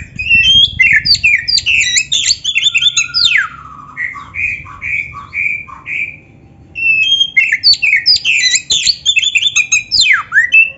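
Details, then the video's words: Oriental magpie-robin (kacer) in varied song, used to push other magpie-robins to sing: a rapid jumble of whistles and chatter, a long falling slur, a row of five or six even, rounded whistled notes, then renewed fast chattering. "SUARA KACER GACOR FULL ISIAN !! - LATIH MENTAL KACER BIAR CEPAT NYAUT GACOR"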